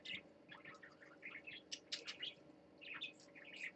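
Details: Parakeet chatter on swings: quick tumbling run of squeaky warbles and chirps, rising and falling, over a constant low hum.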